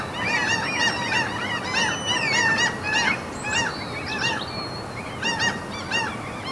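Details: Norwegian fjord seagulls among mountains, with clipped yelping calls interrupted by a few longer drawn-out, whistled wails around the middle, then scattered short yelps again.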